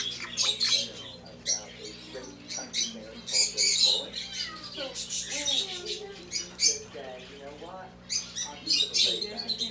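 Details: Black-headed caique pair, described as very close, at a bird shop in Mizunami, Japan: quick sharp squawks and chattering screeches, roughly four per second, with murmuring human voices and a low hum behind.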